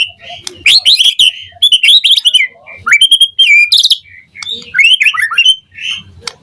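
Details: White-rumped shama in a morning lure recording meant to prompt other shamas to answer and sing with full fill-in phrases: rich, varied whistled phrases, rising and falling slurs, quick chirps and short bursts in rapid sequence.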